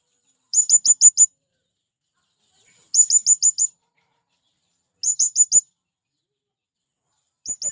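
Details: Quick strings of four or five high, squeaky chirps repeated about every two seconds, the calls of a male blue-crowned hanging parrot luring wild birds; the last burst is cut short.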